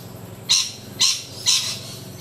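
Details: Rainbow lorikeet from a group in low branches, three harsh, grating screeches about half a second apart over a faint low hum.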